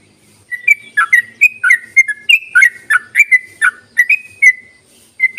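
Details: Yellow-vented bulbul calls used as a lure to get other bulbuls singing: a rapid run of bubbly, liquid whistled notes, each dipping or rising, delivered about three per second in a steady chattering stream.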